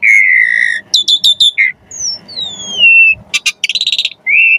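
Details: Javan pied starling song used as training material for caged magpie-robins: long steady whistles, a burst of harsh stacked notes, then descending slurred whistles and a rapid rattling series, loud and close.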